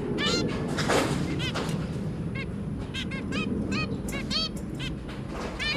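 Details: Pet zebra finch pair and three chicks, January 2022: nasal tooting beeps come in irregular bursts of two or three, repeated across the whole stretch, over a constant low background hum.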